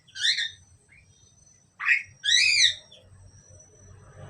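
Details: Asian pied starling pair giving loud harsh calls: a strong rasping note, then a short rising squeak, then a longer grating downward-slurred call, with quiet background hum between them.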